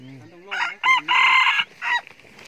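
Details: Young F3 rooster crowing: a loud, harsh, multi-part crow in several bursts over about two seconds, preceded by low murmuring voices.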